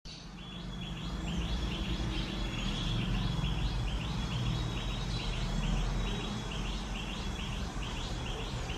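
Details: Black-rumped flameback woodpecker recorded at Ottappalam, Kerala: a rapid series of short, sharp high notes repeated in quick bursts over steady low rumbling background noise.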